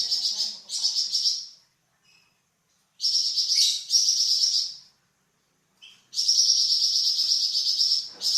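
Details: Varied song of a Flamboyan bird, used as tutor song for cucak ijo and magpie robin: bursts of rapid, high, sizzling trills lasting one to two seconds, separated by silent gaps, the last burst long and sustained.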